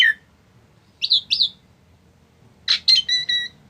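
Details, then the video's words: Tame Asian pied starling giving short harsh calls and a few whistled notes with harmonics, in bursts separated by pauses, over low background hum. "Burung Jalak Suren Yang Paling Jinak"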